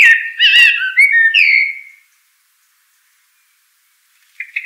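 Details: Blackbird song phrase: a mellow, tumbling run of fluted notes lasting about two seconds with a few higher squeaky flourishes, then silence until a brief faint note at the very end.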